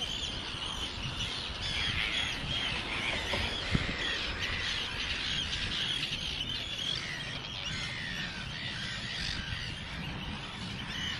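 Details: Arctic tern (Sterna paradisaea) breeding colony at the Eider Barrage, Germany, in 2013, right beside tourists: harsh, continuous, overlapping grating high cries from the whole colony over a low rumble of wind.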